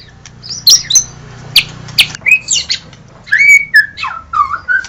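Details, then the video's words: Shama (murai batu) song opening with sharp scattered clicks and high squeaky notes, then turning into loud fluting whistles that slide down and swoop, over a soft low background hum. "Murai batu DIJAMIN LANGSUNG NYAUT dan GACOR dengan suara murai batu terbaik ini"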